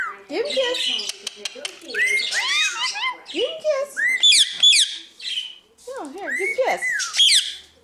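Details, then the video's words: A pet Indian ringneck parakeet, chatting at breakfast alongside a cockatiel and cockatoo, chatters in rising and falling whistles and squeaky speech-like phrases with sharp clicks between bursts, imitating the cockatiel. "when marnie imitates your cockatiel"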